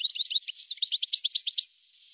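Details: European goldfinch song from an old recording dated 1982 to 1990: a rapid, tinkling burst of high twittered and liquid chirping notes lasting about a second and a half, then faint background hiss.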